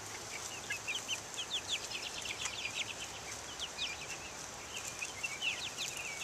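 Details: Buff Orpington, Black Australorp and Ameraucana chicks out in the open air in 2010; soft, rapid high-pitched peeps in loose bunches, steady through, against background hiss.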